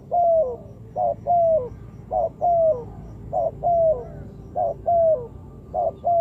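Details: Spotted dove calling as a trapping lure: regular series of clear coos, each ending in a falling slur, repeated roughly every second over a soft low hum.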